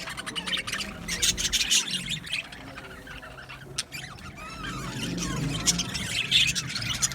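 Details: Budgie colony in an aviary: busy high chirping and squawks at the start, a quieter stretch midway, then chatter building again with scattered sharp notes.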